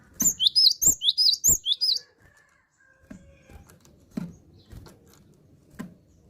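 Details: Gelatik batu, a cinereous tit in full steady song, opens with a quick series of high swooping double whistles over two seconds. Quiet clicks, knocks and a faint hum follow.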